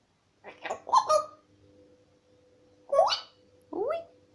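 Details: Twelve-month-old pet African grey parrot asking for a peanut in a small room; rough squawks followed by two rising, whistle-like notes, with a faint steady hum behind.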